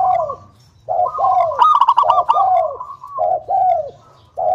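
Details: Local zebra dove singing, a lure recording meant to prompt other doves to sing: low cooing notes that fall in pitch, a fast bubbling trill in the middle, then three more short descending coos.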